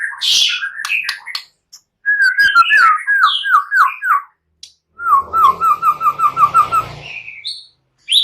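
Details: White-rumped shama from Indonesia, a bird said to sing energetically with cililin and prenjak phrases, used to provoke other shamas into singing. Varied whistled phrases give way to a run of about ten quick, even whistled notes, then short high notes.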